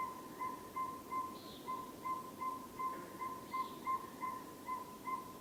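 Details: Northern Saw-whet Owl tooting at night: steady, even, whistled toots repeated nearly three times a second throughout, over a low hum, with faint higher notes from other birds.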